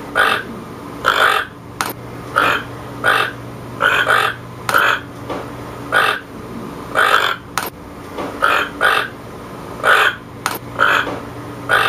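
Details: Rough, grating croaks from a toucan, repeated in irregular bursts about every second, with a low constant hum and a few sharp clicks behind.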